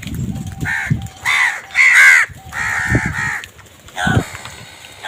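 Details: Several crows fighting for food give loud, drawn-out harsh caws back to back, with thumping noises underneath.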